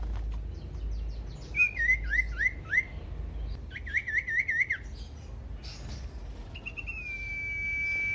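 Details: Common iora song played to provoke other ioras into loud singing: rapid trilled runs of rising-falling whistles in two bursts, followed by a long level whistled note.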